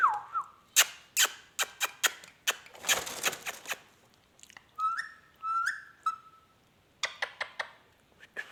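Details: Talking ringneck parrot indoors: a falling whistle, rapid dry clicks and a rustling burst, then short level whistles with chirps, and more irregular clicking near the end.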